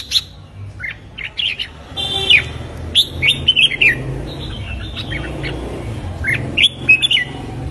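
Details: Morning training song of a red-whiskered bulbul used to stir young birds into fighting song: lively whistled phrases of swooping notes come in scattered bursts over a steady low background hum.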